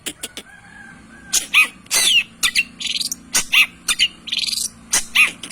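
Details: Long-tailed shrike in energetic full song, used as a lure to provoke other shrikes into singing: harsh scratchy bursts alternate with short clear whistled notes and buzzy rasping phrases in quick irregular succession, with a faint low hum beneath.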